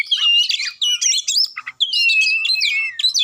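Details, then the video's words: Magpie-robin song from Indonesia, used to provoke a reluctant bird into singing: loud, rich run of varied whistles and rapid trills, with sliding notes and brief pauses between phrases. "Kacer Susah Bunyi Dijamin Langsung Ngamuk Dengar Suara Kacer Satu Ini"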